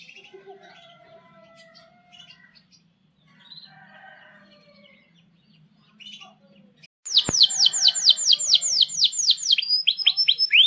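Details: Energetic canary song with long rolls, used to teach young canaries and coax silent birds to sing: soft scattered chirps at first, then a loud, fast trill of high downward-sweeping notes repeated rapidly.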